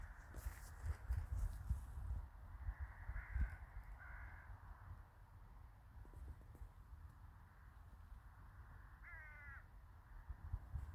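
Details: Crows calling in a village in winter: two hoarse caws near the middle and a clearer harsh caw later, over steady low rumble and occasional clatter.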